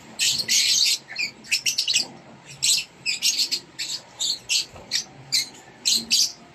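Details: Rosy-faced lovebird chicks being fed by a parent inside a nest box, kept in Indonesia: rapid high buzzy begging chirps in short bursts, repeated about every half second throughout.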